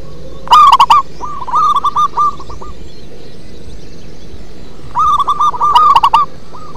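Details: Bass-toned singing of a local zebra dove: a loud rich coo starts a phrase of quick, evenly spaced hooked notes; after a pause a second phrase repeats the pattern, ending in a trailing note.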